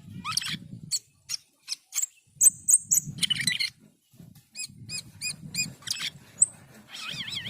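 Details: Starling song mixing sharp clicks, a sustained high whistle, repeated looping whistled notes and a wavering trill over low rumbling background noise, with short pauses between phrases.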